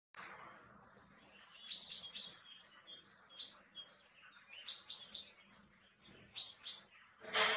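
Common chaffinch singing bright, high, clipped notes in quick bursts of three or four, repeated every second or two, ending with a brief rustling noise.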